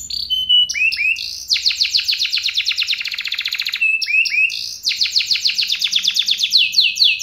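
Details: Canary singing in the fast roll style: a few clear whistled notes, then long, rapid, buzzy trills of about ten pulses a second, broken by a brief whistle and resumed, all loud and high-pitched.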